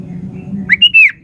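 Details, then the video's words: Sooty-headed bulbul in vigorous song: a single short bright phrase, a quick rising note followed by a clear, slightly slurred high whistle, over a low steady hum. "SUARA BURUNG KUTILANG GACOR"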